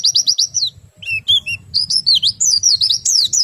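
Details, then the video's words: Oriental white-eye in rolling, continuous song used to stimulate other white-eyes to sing: quick high twittering notes, then a varied run of thin whistled slurs and trills, rising and falling, over a soft low hum. "PLECI meriwik ngerol sambung nembak, sangat ampuh merangsang pleci ikut bunyi"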